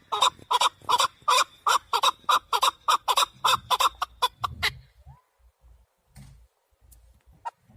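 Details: Male chukar partridge calling for hunting use: a fast run of harsh, clucking chuk notes, about two or three a second, for nearly five seconds, then it breaks off into near silence with a few faint sounds.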